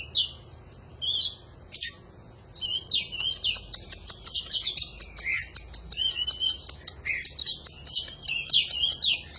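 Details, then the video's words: Oriental magpie-robin (kacer) in an intense 'gacor' panjingan song recorded for tutoring birds: a long, almost continuous stream of whistles, clicks, harsh notes and mimicked-sounding phrases that grows busier toward the end. "Suara panjingan masteran burung kacer gacor"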